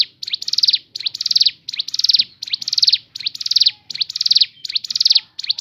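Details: Natural song of a crescent-chested babbler (ciblek gunung), used for luring other birds into song: repeated high rattling trills, each starting with a quick upward sweep, phrases about a second long separated by brief pauses.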